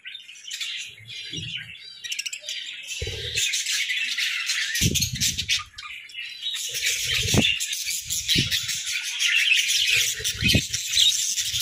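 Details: Group of captive budgies in their hut, playful and active, keeps up a busy high warbling chatter that swells louder toward the end, with scattered low thuds and knocking sounds throughout.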